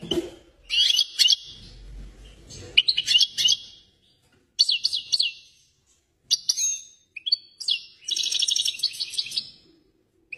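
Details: European goldfinch in excited song, delivering separate bursts of bright, tinkling twitters and buzzy trills with short silences between them. A faint low rumble sits underneath at the start.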